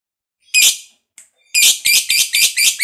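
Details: Lovebird giving a long ngekek, the chattering song prized by hobbyists, played to encourage other lovebirds to sing; one harsh note, a brief peep, then a fast run of six rasping chatters.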